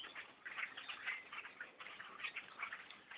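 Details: Blackbirds by the thousands overtaking a tree stand during a bow hunt: a continuous wall of harsh, ticking chatter from countless overlapping birds, pulsing slightly in loudness.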